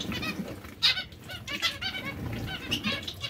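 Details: Breeding pairs of zebra finches produce a steady stream of nasal, trumpet-like calls, some in short rapid runs, over a low background hum.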